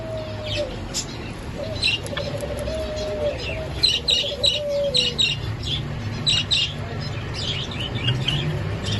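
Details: Java Sparrows (Padda oryzivora) singing: several give rapid, high clicking chirps about four per second, over a lower sliding whistle and a steady low hum.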